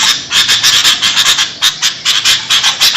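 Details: Sooty-headed bulbul calls, noisy and used to lure birds: short harsh chattering bursts, about five per second, with brief whistled notes, in a rapid uneven rhythm.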